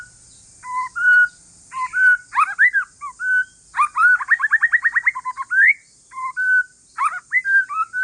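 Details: Relaxed singing by a white-rumped shama from Aceh forest stock, used to lure other shamas into song: varied whistled phrases separated by short pauses, a fast buzzy trill burst in the middle, then more looping whistles.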